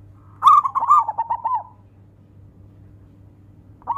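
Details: Zebra dove of local stock singing to call rivals: one rich phrase of rapid rippling coos descending slightly over about a second, then silence before the next phrase begins; faint low hum throughout.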